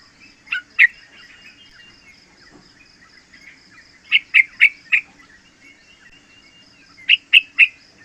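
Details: Young yellow-vented bulbul, about three months old, learning to sing; short bursts of bright chirpy notes in groups of two to four, spaced by pauses, over a steady faint high tone in the background.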